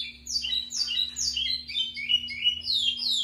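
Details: Lined seedeater, called a local pico plat, singing strongly: a fast, continuous run of high, downslurred whistled notes, repeated about three times a second, over a steady low electrical hum.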